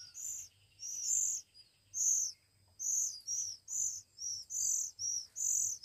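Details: One-week-old Oriental magpie-robin chicks begging while being hand-fed: harsh, hissing high rasps, each lasting about half a second, repeated roughly once a second in a steady insistent series.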